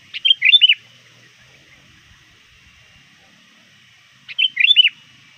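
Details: Near dusk, a trained sooty-headed bulbul used as a lure calls out to rivals: a rapid run of clear, curling whistled notes, then silence, then the same bubbly phrase repeated about four seconds later.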